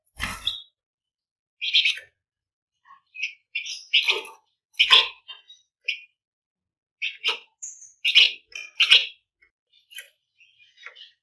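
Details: Flamboyan bird singing in a lively, dense style, used as a lure to stimulate other birds to sing; short bright chirps and buzzy trills in scattered bursts, some faint high notes between louder phrases.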